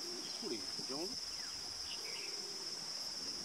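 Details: Green imperial pigeon in Gorumara National Park, Jalpaiguri District, West Bengal, India, in January: low, moaning call notes with rising and falling harmonics in the first second, set against a steady high insect drone.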